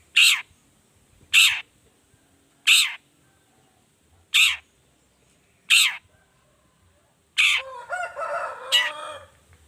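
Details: Long-tailed shrike giving a 'toet toet' lure variation: five loud, rasping notes spaced roughly every one and a half seconds, then a longer burst of scratchy chattering.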